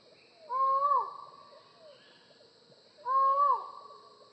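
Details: Collared forest falcon repeating a loud, human-like 'ow' call twice, about two and a half seconds apart, each note held evenly then dipping abruptly.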